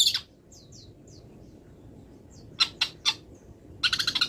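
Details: Wild long-tailed shrike in moult, singing with mimicked phrases. A few soft, thin downslurred whistles give way to three loud sharp chips and then a rapid rattling series of notes, over a low background hiss.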